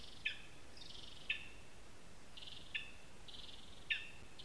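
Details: Lesser spotted eagle at a spruce nest in Zemgale, Latvia, watched on a live camera, gives four sharp high yelps spaced one to one and a half seconds apart, with buzzy bands between them and soft hiss.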